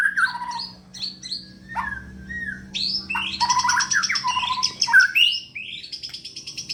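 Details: Contest-ready caged white-rumped shama from Indonesia singing a varied sequence of sweet whistles, slurred rising notes and rapid buzzy trills, phrases changing every second or so over a faint low hum.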